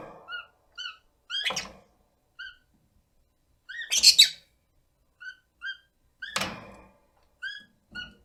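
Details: A 1-year-9-month-old rosy-faced lovebird gives contact calls and chatter: short, shrill chirps once or twice a second, broken by three loud knocking thuds.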